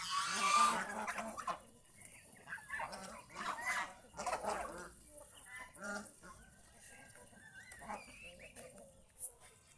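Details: Geese roaming the fields around a house begin with a loud burst of honking, then trail off into scattered, softer nasal calls and chatter with longer pauses.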